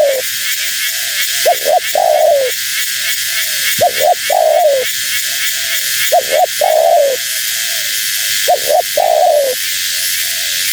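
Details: Female spotted dove, calling so that wild doves respond. Rhythmic phrases of two short notes and a long sliding coo recur roughly every two and a half seconds. Softer answering coos and a continuous high hiss are also heard.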